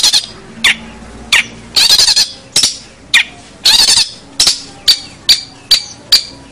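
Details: Long-tailed shrike training recording: scattered sharp clicks and loud rasping bursts, some long and hissy, others short with a thin high squeak, irregularly spaced, with a faint low hum in the background.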